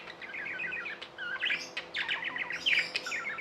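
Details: Pet budgerigars chattering: quick runs of small warbled chirps, strung together in rhythmic rippling phrases with a few sharp clicks between.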